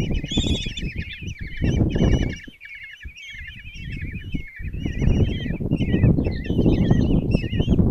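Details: Common kestrel chicks, five of them, beg as their mother feeds them breakfast at a nest box in Tiszalök, Hungary, June 26, 2024: a continuous string of quavering, slurred squeals, with loud rustling and low rumbles coming and going.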